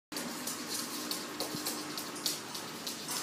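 Steady hiss of running water indoors, like a filling sink or tap, with a faint low hum and no animal calls.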